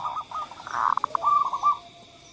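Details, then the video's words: Zebra dove lure song for reluctant singers, a run of soft cooing notes that swell in the middle, then a smoother trailing coo, over a faint constant background tone. "suara pemancing Perkutut yang Males Bunyi"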